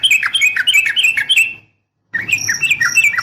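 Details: Bubbly, tumbling notes from a female yellow-vented bulbul calling to a male, delivered in two loud lively bursts split by a half-second gap, the second carrying higher whistled tones.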